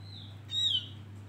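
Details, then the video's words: A single bait-song phrase from a male Javan grey-throated white-eye (opior jawa): a faint level whistle, then a loud clear note that sweeps downward, with a steady low hum behind it. "Opior Jawa pancingan"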